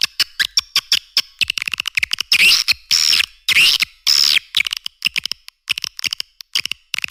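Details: Edible-nest swiftlet calling sound used as a lure: quick clicks and chirps around longer harsh rasping twitter bursts, about 107 pulses per minute in places.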